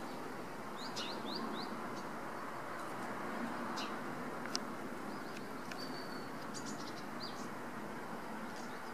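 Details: House sparrow perched on a wire, calling with short, thin, high chirps, some rising and some falling, in loose irregular bursts. A steady rushing background noise, like distant traffic, runs throughout.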